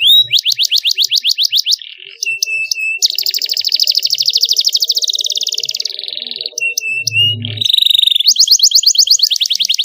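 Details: Young canary master song, clear and long, in the luxurious cengkok style: quick rising sweeps, flat whistled tones, a long buzzing trill with a brief low hum, then renewed rapid sweeping notes.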